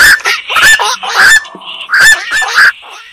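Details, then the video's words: Black-crowned night heron uttering loud, coarse honking squawks in two bursts of three or four calls, separated by a brief quiet pause. "suara burung koak"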